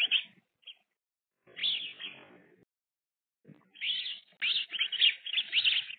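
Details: Baby sparrows getting worked up at a feeder during play fighting give scattered sharp chirps, then a dense, excited string of high twittering notes near the end.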